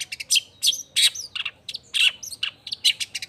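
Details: Long-tailed shrike in lively lure song meant to provoke other shrikes into answering: quick alternation of harsh buzzy bursts and short whistled slurs, roughly three phrases a second, over faint background hum.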